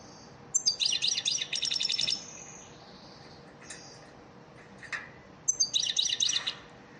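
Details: Lesson song of an elmacık-type European goldfinch, meant for training caged birds: dense, rapid buzzy trills lasting over a second, a few isolated clicks, then another rich trilled burst.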